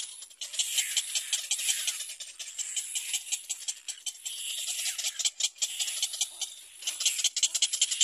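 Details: A little black cormorant chick cries for its mother to feed it, giving dry, hissing, high rattling rasps, two or three a second in near-continuous bursts, with no other clear sounds.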